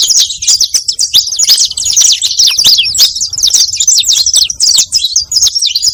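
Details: Attracting song of a saffron finch: dense, high-pitched twittering of quick chirped notes, steady and almost unbroken, with only faint low background rumble.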